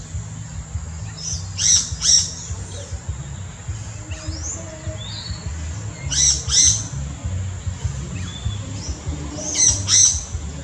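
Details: Yellow-rumped cacique singing in the Brazilian Amazon, giving loud doubled bursts of harsh, ringing notes about every four seconds, with softer slurred whistles between, over a continuous high insect whine and low rumbling noise.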